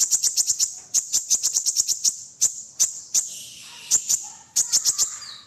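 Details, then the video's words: Sunbird (kolibri ninja) song used as a tutor recording for other songbirds: rapid series of sharp, very high ticking notes, then a thin sustained hiss and more clipped high chips. "MASTERAN KONIN - Masteran Kolibri Ninja Isian Mewah"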